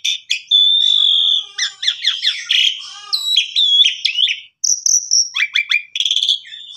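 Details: Asian pied starling song offered as a master recording for canaries: a long level whistle opens, then chattering harsh notes, clear upslurred whistles, a short pause, another high steady whistle and a fast closing rattle.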